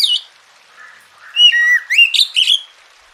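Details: Oriental magpie-robin song aimed at encouraging reluctant birds to sing: a quick opening note, a faint low murmur, then rising and falling whistled phrases ending in a buzzy twitter.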